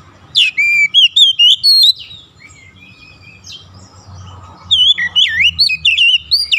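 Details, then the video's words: Oriental magpie-robin singing to lure any other magpie-robin into singing along: a burst of loud, varied whistled notes and slurred warbles, a quiet pause with faint low hum, then a second rapid run of sweeping, twisting whistles. "APAPUN JENIS KACER PASTI TERPANCING LANGSUNG IKUT GACOR"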